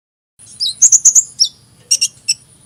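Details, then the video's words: Hummingbird song: a short burst of very high, thin chips and squeaky notes, with a tight cluster of sharp tweets near the middle and a few scattered chips after a pause. "Kicauan Burung Kolibri"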